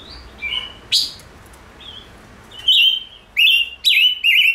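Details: Five-coloured bird song: soft opening whistles and a sharp note, then three loud warbled whistled phrases close together, each gliding downward.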